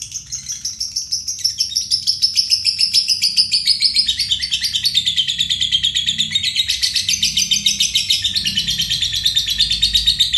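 A lovebird gives a long, unbroken, high-pitched chattering trill of rapid, harsh notes that carries on without pause for about ten seconds.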